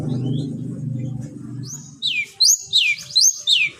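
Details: Long-tailed shrike singing to stir other shrikes into song. After a low rumbling hum come several clear, high, down-slurred whistles in quick succession.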